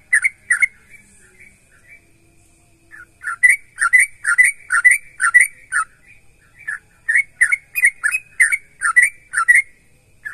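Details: Sooty-headed bulbul, locally trucukan, in energetic gacor singing meant to prompt other bulbuls to answer: bubbly, slurred liquid notes in quick clusters, about two per second, with brief pauses between bursts against a silent background.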